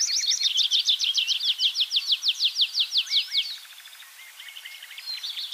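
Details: Tree Pipit in song at Bakkum, the Netherlands, 2023: a strong string of rapid, evenly spaced high notes, slowing slightly, then a quieter lower rattling trill and soft chirps afterward.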